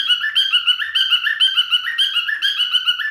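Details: Male cockatiel kept as a pet in full song, rapid warbling whistles with upward slides, pulsing rhythmically around twice per second, with nothing else audible.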